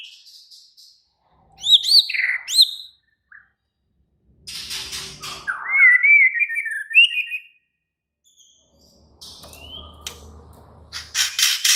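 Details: Excited, aggressive song of a White-rumped shama: sharp upswept notes, a long rapid warbling run in the middle, then scattered high notes over a faint low background rumble.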